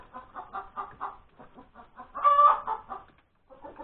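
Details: A hen after laying her egg, 31 January 2021 at breakfast time: a fast series of short, even clucks building to one loud, sustained nasal cry, followed by a brief pause and more clucks.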